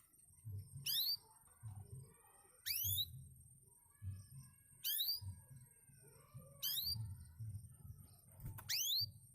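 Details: Canary, a former contest bird, giving short high upward-sweeping chirps about every two seconds, separated by quiet gaps with a low background hum.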